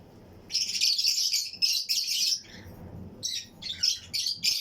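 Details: Pairs of Fischer's and Lutino lovebirds in a colony flight cage, chirping and singing along with other birds around them: shrill, grating high chirps in long runs, then shorter clipped bursts after a brief pause.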